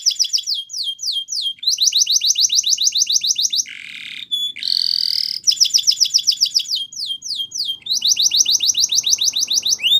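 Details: Yellow canary singing in the morning: fast repeated downward-sweeping high notes in rapid trills, broken by buzzy rolling phrases and a brief pause, then more rapid sweeping trills.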